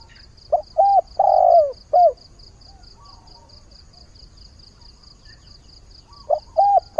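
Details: Spotted dove kept as a decoy bird, calling at the start of the day to find a mate: a short burst of low, hollow coos, a long drawn middle note falling at its end, then silence before two more coos, over a steady high ticking.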